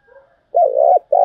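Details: Spotted dove thúc gù cooing used for lure training in trapping: a faint soft note, then a loud long mellow coo with a downturned ending, and the next coo starting right after.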